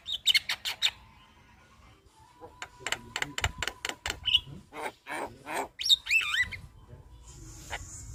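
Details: Javan myna song used as master recording for other birds: scattered sharp whistles and quick clicking rasps, with a steady faint tone underneath and pauses between bursts.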